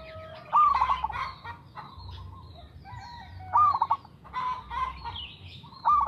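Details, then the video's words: Zebra dove of local stock in regular song, used as a lure: several short trilled coos with rising starts, mixed with clicks and rattling noises and an even low hum. "TERATUR PERKUTUT LOKAL GACOR SUARA TERATUR PANCINGAN TERBAIK"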